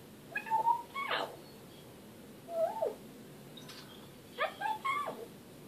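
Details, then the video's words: African grey parrot talking indoors in three bursts of speech-like syllables with rising and falling tones, separated by pauses, over faint room noise. "African Grey parrot, talking"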